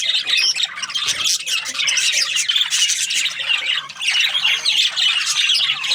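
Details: Squawking and chirping budgerigars, kept as breeding pairs, form a loud, crowded chorus of high scratchy notes with brief dips in volume.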